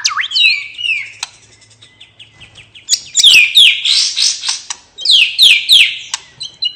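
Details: A white-rumped shama sings a relaxed ngeplong song meant to coax quiet birds into singing: loud looping whistles, a soft fading twitter, then strong bursts of sweeping high downslurred notes repeated in a quick series.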